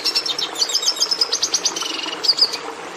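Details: Red Siskin in continuous song: dense high twittering with quick chips, a brief dry trill and thin whistled slurs, many different notes strung together without pause, sounding busy and unmusical against a quiet background.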